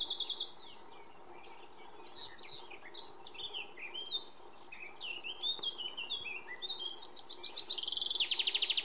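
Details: Iberian pied flycatcher singing at Sierra de Piedrahita, central Spain, on 4 May 2014: a varied string of high, quick chirps and slurred notes, ending in a rapid buzzy trill, over a soft background hum.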